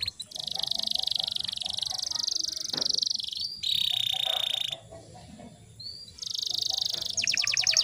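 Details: Canary song used as a lure to get silent canaries singing: long, even buzzy trills hold steady for several seconds, broken by a brief pause and short upslurred notes, then closing with rapid bright rolling notes.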